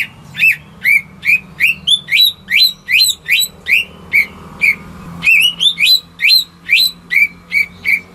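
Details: Greater green leafbird kept at home, singing to draw quiet birds into song: a brisk series of about twenty rising whistled notes, two to three per second, with a brief pause midway.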